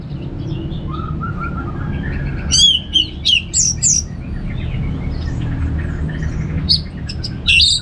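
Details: Orange-headed thrush singing in relaxed ngeplong style: a soft low whistled run, then loud bursts of sharp high whistles and quick slurred notes in separate phrases, over a steady low hum.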